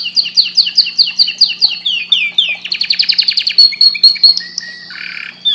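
A canary sings a rapid, varied song: quick descending whistled trills repeated several times a second, then buzzy rolls and sharp chirps. A faint steady hum sits underneath.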